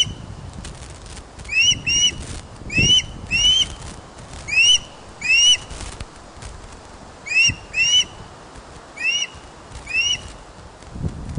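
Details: Osprey calling at a Scottish nest, Loch of the Lowes, on 31 August 2013 around 16:39, when a large fish arrives. Clear, piercing whistled chirps, each slightly upslurred, come in short bursts of two or three with pauses between.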